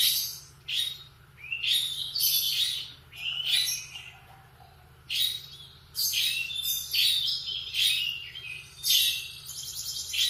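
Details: Canary in morning song, loud high phrases of trills and buzzy rolls each lasting about a second, coming in bursts with quiet gaps, over a soft hum.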